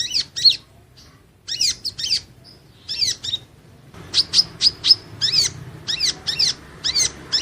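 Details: High, sharp chirping song of a Van Hasselt's sunbird used for training, scattered notes at first, then a rapid, steady run of repeated twittering notes.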